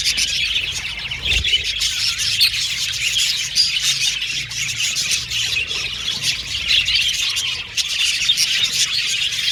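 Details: Happy budgerigars keep up a thick wall of high, chattering chirps and squawky warbles, with one soft low knock early on.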